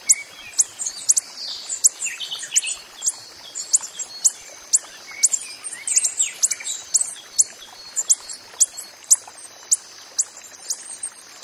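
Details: A steady series of piercing, very high tick calls from a coppery-headed emerald in the wild, repeated roughly twice per second, with faint mixed birdsong and a high insect hum behind.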